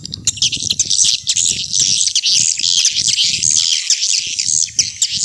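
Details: Lure recording for attracting swiftlets, old style: an unbroken, dense wash of high, buzzy twittering and chirping, with a low rumble beneath.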